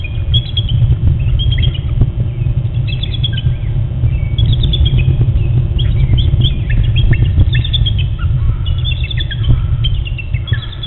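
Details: Bald eagle pair at a nest webcam on Hornby Island, 5:45 AM on 15 June 2012, talking at sunrise as the male flies in. Thin, high piping notes come in descending runs again and again over a steady low rumble.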